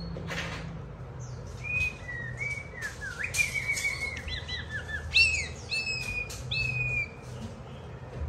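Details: Pet white-rumped shama singing while a child plays with it and it pecks at a hand: clear whistled phrases, some rising and some falling, in short bursts with sharp chip notes between, over a low background hum.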